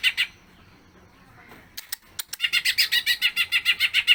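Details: Greater green leafbird singing a long 'bongkar isian' song, played to get other cucak ijo singing. Begins with a couple of faint notes and scattered clicks, then settles into a steady run of quick, bright, buzzy chirps.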